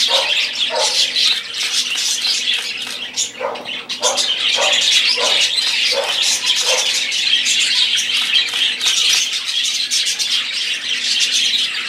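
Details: Several budgerigars warbling and chirping, with a run of short lower squawks repeated about every half second early on, then steady dense high twittering.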